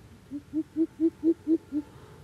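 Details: Coucals squabbling and fighting like chickens: a run of seven deep, hollow hoots spaced about a quarter second apart, swelling in strength through the middle and easing slightly at the end, over a quiet background.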